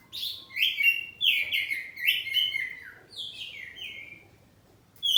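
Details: Oriental magpie-robin, home-kept kacer poci, singing openly and answering. Loud warbled phrases of falling whistles repeat in quick succession, then fade into a short pause before a fresh bright note.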